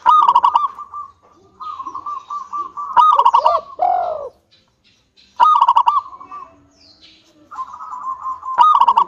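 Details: Zebra dove of local stock singing to draw other doves into song: rapid trilled pulses broken by sharp bursts, with one throaty falling note in between and quiet pauses.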